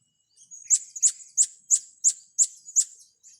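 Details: Blue-crowned hanging parrot heard while young birds are being trained, uttering seven sharp, high, evenly spaced chip notes roughly every third of a second, each with a thin whistled tail, in an otherwise quiet setting.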